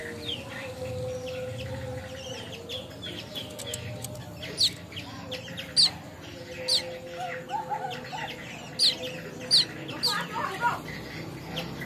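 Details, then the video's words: Young weaver from Bima, West Nusa Tenggara, learning to sing: short sharp high chirps repeated about every second, with scratchy notes and a steady low hum beneath. "burung manyar bima ntb lagi belajar bunyi"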